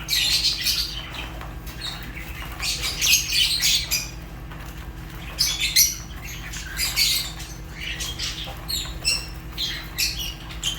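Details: Fischer's lovebirds calling nonstop, a busy jumble of sharp, high chirps and squawks at an uneven, fast pace, several birds overlapping throughout.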